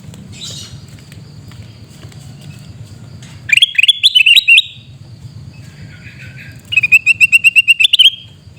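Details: Sooty-headed bulbul screaming call from Mutiara, Pidie, Aceh: two bursts of rapid, grating notes. The first is an uneven rising chatter, the second an even rattle of about ten notes. A high faint twittering comes before them.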